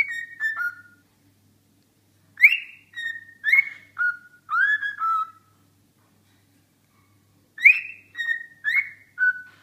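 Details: Cockatiel singing, a series of clear whistled phrases: short falling two- and three-note whistles in bursts, pausing a few seconds between groups, with a faint low hum underneath.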